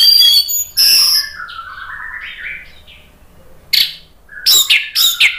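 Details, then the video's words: Orange-headed thrush in loud, full song, used as a lure to provoke other birds into singing. High, bright whistled and chattering phrases in bursts, a lower slurred warble between, then sharp rapid notes at the end. "ANIS MERAH GACOR NGEPLONG memancing EMOSI jadi NYAUT BUNYI"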